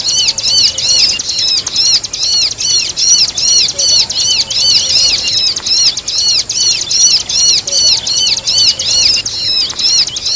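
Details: Repeated high, bright arched chirps of a bar-winged prinia, mixed with other bird calls as a training track for songbirds. Notes pour out in quick bursts of about half a second, separated by short gaps, for ten seconds.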